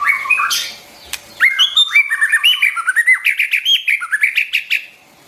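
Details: Singing White-rumped shama, recorded for training young birds' song: rich varied whistles and chirps in a fast continuous stream of rising and falling notes.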